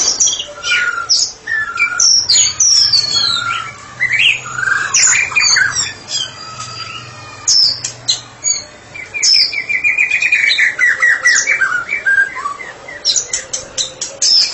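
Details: White-rumped shama, a caged bird kept for therapy, singing in full open voice: varied whistled phrases, sharp high notes and a fast rising-falling trill run near the middle, with a low steady hum underneath.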